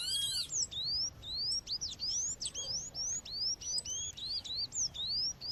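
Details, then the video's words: High, upslurred whistles from a female coleiro or papa-capim, meant to excite males, repeat steadily about twice a second. A different bird's ringing arched call opens the sequence, and faint chirps sit in the background. "fêmea chamando com som de natureza esquente já seu coleiro ou papa capim"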